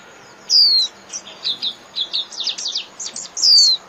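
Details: Japanese white-eye in 'líu' style song, used to train caged birds daily: a high down-slurred whistle opens, followed by scattered soft twitters and a second clear descending whistle.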